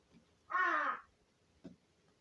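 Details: Pet crow that prefers to be hand-fed, calling for food: one harsh, nasal caw lasting about half a second, followed by a brief faint click, in a quiet indoor room.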